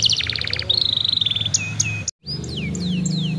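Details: Young canary singing, used as a lure to stimulate other young canaries to sing sooner: rapid trills of repeated notes, then clear whistled slides and falling sweeps, with a brief gap; faint low hum beneath.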